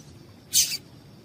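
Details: A single brief, sharp, high-pitched chip from a female yellow-bellied seedeater, the kind given to stir a male into song, set against soft background hiss.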